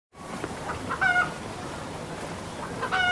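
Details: Red junglefowl squawking: two harsh, nasal squawks with stacked harmonic bands, the first held briefly, the second cut short at the end, over a steady low background hiss.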